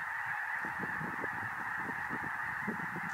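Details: A flock of thousands of snow geese, arriving from the Arctic and landing in a cornfield in Illinois near the Indiana border, gives a dense, continuous chorus of high, nasal yelping honks overlapping into a steady roar.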